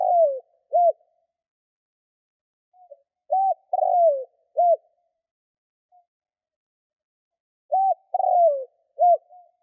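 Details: Spotted dove cooing, kept to provoke and lure wild doves: three bursts of low, hoarse coos, each phrase of three or four short notes, separated by silent pauses of about two to three seconds.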